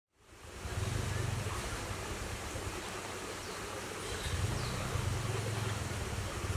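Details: Steady rushing water, like a stream, fills the whole recording after a short silent start, with no animal calls standing out.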